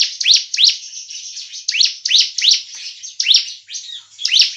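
Bar-winged Prinia giving sharp, rising chirps in quick pairs and runs over a thin, continuous high buzzy trill.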